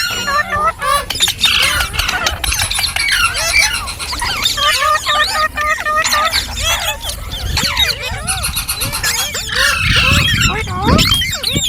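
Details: Continuous chatter of green parrots, many short, twisting chirps crowded together, louder flurries toward the end over low background noise.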